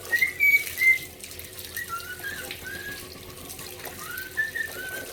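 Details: A pet male cockatiel sings in the morning, whistling short rising and sliding notes along with other birdsong, over a steady wash of running water.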